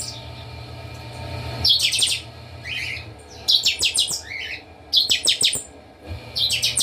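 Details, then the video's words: Chorus of all the Chopi blackbirds kept at a breeding aviary. Dense bursts of high, rattling chirps come with short rising whistles between them, repeated roughly every one to one and a half seconds. A low hum sounds throughout. "Baderna com todos os chanchões"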